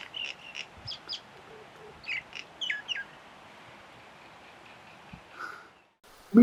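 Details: Common (Indian) myna at Kuah, Langkawi, an individual observed mimicking at least four species' calls, giving a varied run of short chirps and whistled notes in quick succession, with a low hum underneath and a sudden thump at the end.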